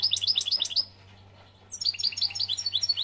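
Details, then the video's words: Bright, fast twittering phrases from a European goldfinch in Algeria, broken by a half-second pause, over a faint low hum. "من هذا التغريد الحسون"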